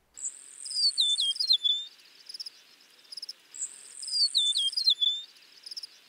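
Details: Eastern Meadowlark singing in spring in a central or eastern US backyard: two high, clear, slurred whistled phrases about three and a half seconds apart, each sliding downward like a slide whistle, over a faint insect hum.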